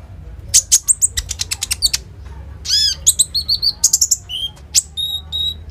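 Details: Common iora singing vigorously, with mimicked phrases in rapid bursts. It is used as a lure to set other birds singing and was recorded on a phone. Sharp, very high chirps and trills come in quick volleys, with brief downslurred whistles and short pauses.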